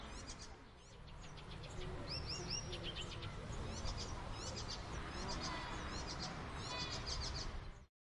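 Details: Icterine warbler (Hippolais icterina), song.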